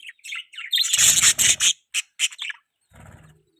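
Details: Budgie chirping during mating sounds, loud and sharp: bursts of bright, high chirps in quick succession, overlaid by a rough rustling noise, then a pause and a faint scratchy murmur.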